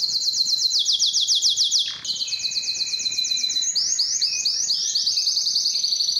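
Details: Male canary singing loud, long song to attract females for breeding: fast high rolling trills repeated about four per second, a brief pause, then a steady whistled tone under continued trills, ending in bright looping warbled notes.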